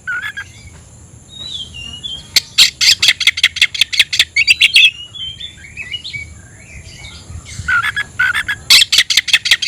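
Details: Caged oriental magpie-robin singing to challenge a rival to fight: soft slurred whistles give way to rapid trains of sharp ticking notes, with brief whistled phrases between and a faint constant high hum.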